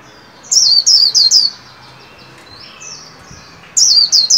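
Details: Caged white-eye being trained in líu song for the 2021 new year gives a quick run of four high, bright, downslurred whistles, a quiet gap with soft notes, then three more in rapid succession.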